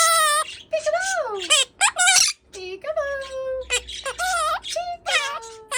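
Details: Male pet Quaker parrot (monk parakeet) talking indoors, repeating words such as peekaboo: clear, squeaky, speech-like syllables with gliding pitch, delivered in quick bursts, some drawn-out notes, almost continuous over several seconds.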